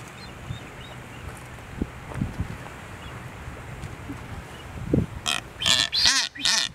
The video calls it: Blue footed booby